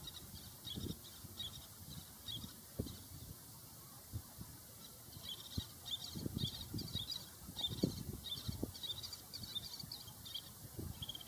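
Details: Little tern during courtship feeding at the Nagara River: short, high, rasping notes in quick runs throughout, over steady low rumble and bursts of wind-like noise.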